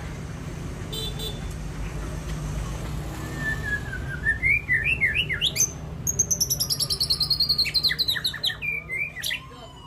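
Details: Champion white-rumped shama at a singing contest, building from sweet rising whistles into a rapid, high-pitched rattling trill and sharp staccato notes, loud over a low steady hum.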